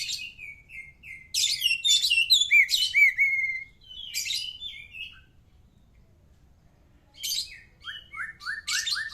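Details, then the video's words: White-rumped shama singing, intended to encourage other birds to answer: bursts of fluty whistles and rich warbles separated by pauses, ending in a rapid series of repeated falling notes. "burung kacer cocok buat sautan burung anda"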